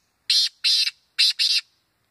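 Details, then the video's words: Black francolin call used in hunting: four harsh, buzzy, broadband notes delivered as two quick pairs, each note short and grating, on an otherwise silent background. "kala tetaar ki awaz"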